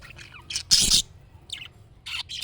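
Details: Budgerigar calls meant to make a pet budgie answer; loud harsh chirps in short bursts separated by quieter gaps.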